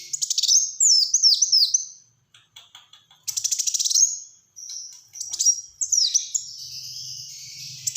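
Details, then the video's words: Kolibri wulung, the Black-throated sunbird, singing close-fired 'tembakan rapat' phrases: a run of downward-sweeping high notes, a quiet gap, then buzzy trills and more falling whistles, with a low hum near the end. "Burung Kolibri Wulung Gacor Tembakan Rapat"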